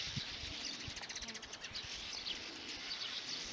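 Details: On 1 May 2019, sand martins, arriving this week in a cloud-like flock, give a dry, scratchy twittering of many rapid rasping notes overlapping in a continuous chatter, with faint low thumps of wind underneath.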